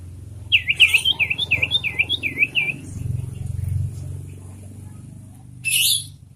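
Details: Caged sirtu, kept for a loud, ringing voice, delivers a fast string of about seven repeated high dipping chirps in under two seconds, then falls quiet before a brief rustle.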